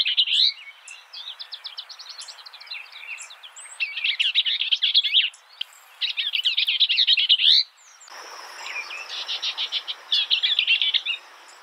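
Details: Skylark pouring out long bursts of high, fluttering song, fast trilled notes and chattering warbles in rapid succession, broken by brief gaps and shifts in tone, over a light background hiss.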